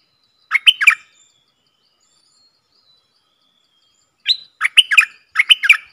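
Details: Streak-eared bulbul acting as a decoy to bring wild birds down, 3 June 2021; a three-note bubbly phrase, four seconds of quiet, then a longer burst of crisp, chattering notes in quick pairs.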